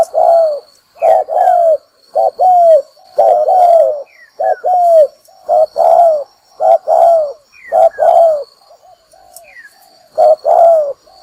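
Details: Spotted dove cooing, played as a lure to trap birds; a long series of low paired coos, short then falling and longer, in steady succession with occasional faint high chirps from other birds.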